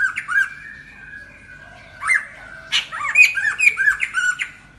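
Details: Lesser necklaced laughingthrush singing as a lure for trapping: loud, clear whistles mixed with harsh squawky notes, in irregular bursts of several phrases close together.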